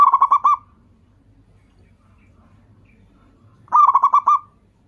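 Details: Local zebra dove used as a lure to make other doves call: two short runs of rapid staccato coos, each about half a second, separated by quiet.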